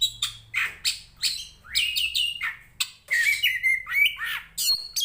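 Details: Fighting Oriental magpie-robin, poci variety from Tretes, singing to stir up other magpie-robins: strong, rich phrases mixing harsh chatter with clear sliding whistles, in near-continuous bursts over a faint low hum.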